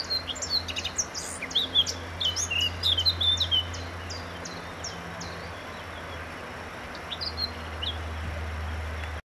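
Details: Eurasian blackcap in song: a busy, scratchy twitter of rapid notes running into sweeter warbled phrases for about four seconds, followed by a long quiet stretch with a low steady hum.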